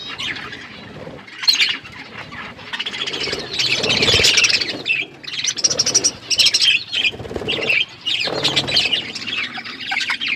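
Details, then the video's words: Budgerigars chirping while they eat; rapid overlapping chirps and squawky chatter in uneven bursts, with some rustling and quieter pauses between louder passages. "Beautiful budgies parakeet eating food birds chirping sounds"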